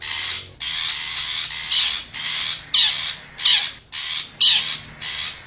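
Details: Long-tailed shrike lure call, wild forest bird, used to attract wild shrikes: long harsh rasps at first, then shorter scratchy screeches with whistled hints, repeated about every 0.7 seconds.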